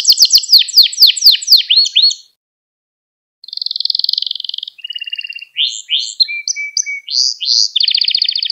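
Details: Canary training song for teaching young canaries to sing: fast rising sweeps repeated in a quick trill, a pause, then buzzy rolled tours, whistled notes and high trilled phrases, clean with no background sounds.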